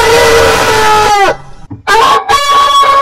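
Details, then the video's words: Rooster crowing: a long, steady, rich harmonic crow that ends in a falling slide, then a short break and a second crow rising and held level. "Rooster Crowing"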